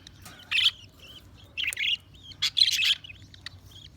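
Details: Budgies chirping, a string of short, harsh, buzzy chirps and squawky notes with soft whistled warbles between, in irregular bursts.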